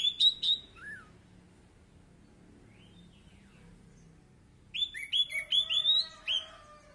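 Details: Lure recording of Orange-headed thrush song meant to make a silent bird sing: a few quick whistles and a lower slurred note, a long quiet gap, then a lively series of rapid, rising, chattering whistled phrases.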